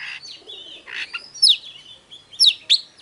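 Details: Oriental magpie-robin song in the hót déo style: softer slurred whistles and raspy notes, then three loud, sharp, descending whistled notes near the end.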